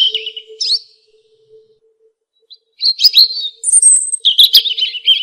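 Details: Robin song: two short, high warbled phrases, a pause of about two seconds, then a longer run of varied whistles, trills and one sustained high note, set against a soft low hum.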